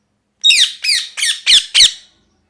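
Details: Parrot giving five harsh, raspy squawks in quick succession, each a loud broadband burst lasting about a quarter second, over otherwise silent background.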